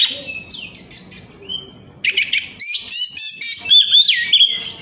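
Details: Oriental magpie-robin used as a singing lure, 'gacor ngemplong' style; quieter varied notes for two seconds, then a loud burst of harsh chatter followed by rich whistles and quick upward sweeps.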